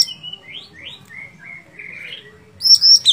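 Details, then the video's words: Sooty-headed bulbul warbling softly with gliding, rising and falling whistled notes, ending in a loud, sharp burst of high repeated notes. "Cucak Cungkok Gacor Fighter"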